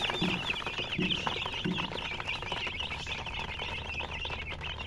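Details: High chicken chirps run continuously while a few lower, hoarse clucking notes sound near the start, over a soft background rumble.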